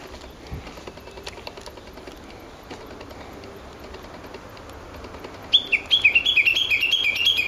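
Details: Japanese bush warbler in the woods of an ecological park, dated 06/12. After several seconds of quiet rustling, a loud, rapid run of sharp, high, stuttering notes bursts in and continues to the end.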